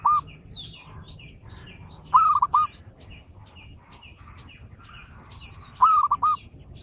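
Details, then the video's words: Zebra dove song for luring birds, heard as two short bursts of three quick hollow coo notes about four seconds apart, over constant faint high chirping from other birds. "Suara burung perkutut pikat"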